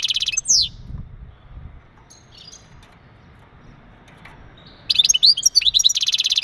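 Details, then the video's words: Male European goldfinch giving mating calls meant to stimulate a female for breeding: a brief high twitter and a buzzy trill, a near-silent pause, then a burst of rapid liquid twitters with buzzy trilled notes. "بتبتات ونداءات التزاوج عند ذكر الحسون فعالة في تجهيز أنثى الحسون"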